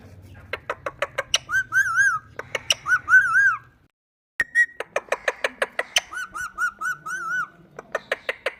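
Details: Indian ringneck parakeet chattering: rapid dry clicks repeated in bursts, mixed with wavering, warbled whistles, broken by a short silence before the clicking and whistling resume.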